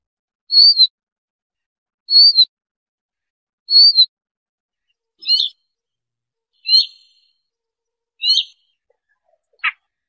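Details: Siberian rubythroat, whose sound serves for trapping, repeats short high whistled notes every one and a half seconds, three slurred falling notes followed by three sharp upswept chips, then a dry click.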